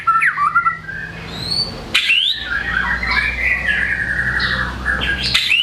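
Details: White-rumped shama singing varied material: twisting whistled notes, a sharp upward sweep, then a long jumble of warbled, wavering phrases in a mid to high range.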